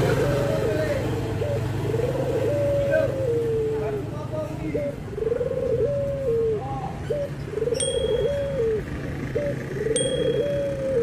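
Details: Dove cooing, with white and brown doves compared: low coos repeated about every second, each ending in a slight downward slide. There is a steady background rumble and faint voices.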